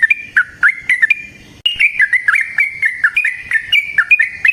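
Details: Yellow-vented bulbul singing in the wild in long rapid 'ropel' style, a chain of gurgling, warbled notes that rise and fall. A brief silent break comes before a denser, faster run of phrases.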